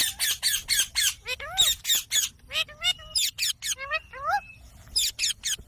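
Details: Green parrot kept as a pet, talking: a rapid run of harsh raspy squawks and short speech-like syllables, several rising and falling whistled notes mixed in, delivered almost continuously.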